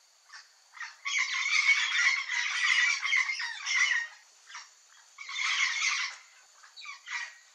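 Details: A flock of Yellow-faced Parrots (Alipiopsitta xanthops) give harsh, raspy squawks, a dense three-second burst of overlapping calls followed by shorter bursts and scattered single notes.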